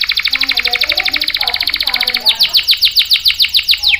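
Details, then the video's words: Canary singing, meant as a tutoring and luring song for young and silent canaries: a long rapid buzzy trill with faint lower chatter, switching after two seconds to quick, clearer downward-swept notes at a fast steady pace. "SUARA KENARI GACOR ampuh buat pancingan dan masteran kenari paud dan macet | CANARY SINGING"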